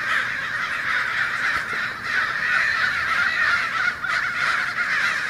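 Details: Many American crows gathered in a residential neighbourhood of Fresno, California, in early January, active around an ironbark eucalyptus, fill the air with a steady wall of raucous, overlapping cawing, rising and dipping in loudness.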